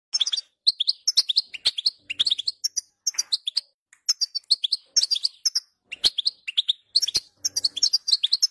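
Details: Wild European goldfinch singing in nature: a fast, tinkling twitter of high, bright notes and short trills, almost unbroken, with brief clicks and a few lower buzzy fragments.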